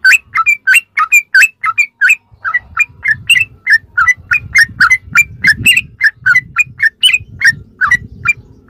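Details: Sooty-headed bulbul ropelan song used as tutoring material for captive birds: a long, steady series of liquid whistled notes, about two or three each second, over a constant low rumbling background.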